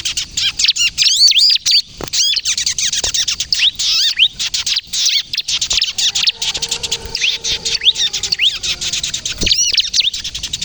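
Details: Vigorous bar-winged prinia song in the kejepit style for luring and coaching young birds: a fast, unbroken stream of high chirps and looping notes, with a faint low hum beneath.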